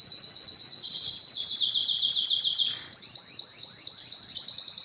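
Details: Spanish timbrado canary song: a dense, rapid trill slowly sliding lower in pitch, a short dip, then a faster run of clipped, repeated notes carrying on to the end.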